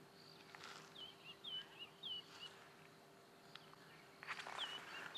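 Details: A group of Amur falcons, including females, wintering in South Africa after migrating from eastern Russia, on 20 January 2017, waiting for warmth before taking wing: thin, high, down-slurred chips in quick irregular bursts over low hum, knocks and rustles.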